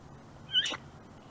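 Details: A bald eagle at a nest cam in Big Bear on 4 July 2019 gives a single quick, breathy sneeze, a sharp hissing puff with a faint squeaky edge, over a steady low background hum.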